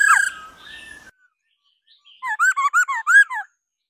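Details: A female laughingthrush calls to stimulate males. A sharp whistled note and a softer drawn-out tone are followed after a pause by six quick, looping whistled notes in an even series.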